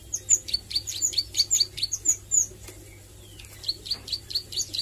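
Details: Young Plain Prinia (ciblek sawah) learning and practising its song with rapid bursts: quick, high, thin chirps in fast runs, a short pause, then another run, over a faint low hum.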